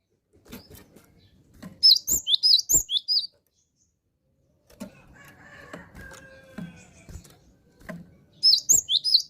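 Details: Gelatik batu (cinereous tit) in steady song gives two bursts of quick, high, looping whistled notes separated by a quiet stretch of faint hum, taps and knocks.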